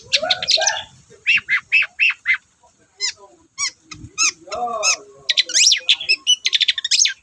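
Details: Long-tailed shrike in lively continuous song, played as a lure for lazy shrikes. Bursts of varied chirps and trills alternate with brief silences, including thin rising whistles and a rapid chattering run near the end.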